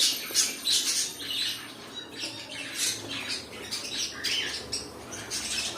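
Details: Several cockatiels kept as pets squawking in rapid, harsh, grating notes, nearly three per second, in an irregular noisy chorus indoors.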